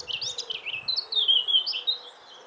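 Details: Songbird delivering a bright, high, twittering phrase of quick slurred chirps that run into a longer sweet warble, then fade, against a quiet background.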